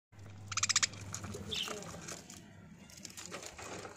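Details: Pet budgerigars, recorded on 9 June, give a quick burst of sharp, rasping chirps, then a brief squeaky note, over a steady low hum.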